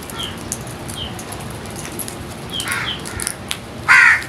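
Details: Crows feeding; a single loud, harsh caw near the end follows soft, faint chirps in a quiet outdoor background.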